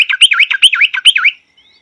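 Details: Short phrase from a yellow-vented bulbul: five or six rich, rolling slurred notes in just over a second, fading off at the end.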